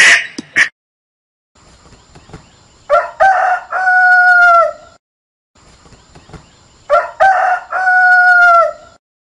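A rooster crows twice, each a loud stuttering cock-a-doodle-doo ending in a long drawn-out note, about four seconds apart; a brief squawk opens the recording.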